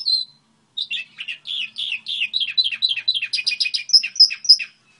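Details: A Goldfinch hybrid sings a model song: one clear opening note, then a rapid, accelerating series of sharp chirps, some rising high, before falling silent.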